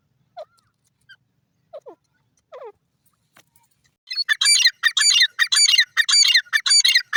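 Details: Teetar francolin feeding in a breeding setup; a few soft, falling, slurred notes, then loud, rapid, harsh squawking bursts repeated in quick succession.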